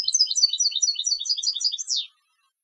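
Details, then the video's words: Competition European goldfinch giving a rapid, tinkling twitter of high chirped notes in quick succession for about two seconds, closing with a downward sweeping buzzy note, then silence. "Jilgueros de Concurso - Canto del Jilguero"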